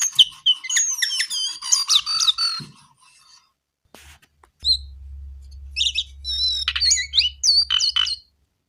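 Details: Brown-eared bulbul in energetic song, dense bursts of high chirps, twisting whistles and sweeping notes, a pause, then renewed rapid phrases over a low steady hum.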